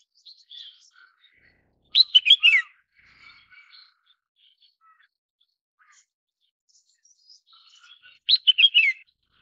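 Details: Red-whiskered bulbul (Pycnonotus jocosus), known too as red-cheeked bulbul: two cheerful phrases of quick tumbling notes falling in pitch, roughly six seconds apart, with scattered soft chirps and twitters between.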